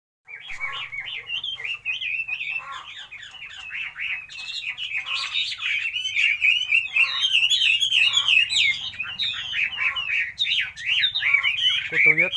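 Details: Chinese hwamei singing a long, unbroken stream of rich whistled phrases, notes sliding up and down and swelling louder toward the end, with a sharp burst at the close.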